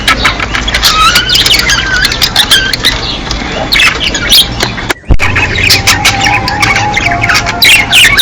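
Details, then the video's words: Budgerigars heard in the mating season, a flock giving dense overlapping warbles, sharp squawks and chirps in continuous high chatter, with a brief abrupt cut two-thirds through. "صوت تزاوج طيور الحب (البادجي)"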